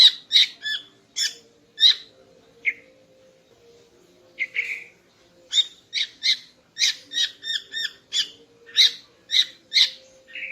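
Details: Female greater green leafbird in morning song meant to arouse a male: clusters of sharp high chirps, a quiet gap of nearly two seconds, then a fast, even stream of ringing notes.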